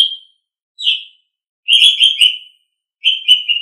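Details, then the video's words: Clear, steady whistles from an Asian pied starling in a songbird training recording, a few single notes followed by longer wavering whistled phrases. "Masteran Terbaik Jalak Suren"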